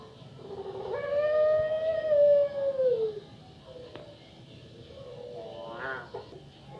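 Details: Female puter pelung dove, kept as a lure bird to get other doves calling. A single long, drawn-out tonal coo lasting about two seconds, steady and then sliding down at the end, followed by softer, rougher murmurs.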